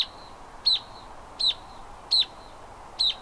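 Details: Canyon wren sounding four crisp, high, piercing notes roughly every 0.7 seconds, each a quick sharp chip with a thin lingering tone after it, over a low even hiss.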